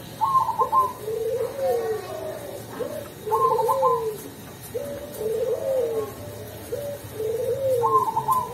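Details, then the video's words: Perkutut Cemani, a zebra dove of the Cemani variety, singing in the melodious ulem voice style: soft, mellow cooing phrases, each a short high note then a lower descending rolled coo, repeated about every two to three seconds. "Perkutut Cemani Gacor dengan Suara ULEM yang Merdu"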